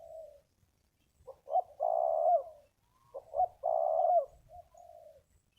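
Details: Wild spotted dove with a big voice, at a ground arena decoy: a soft coo, then two loud purring phrases, each with a stutter before a drawn-out coo, ending in a softer note.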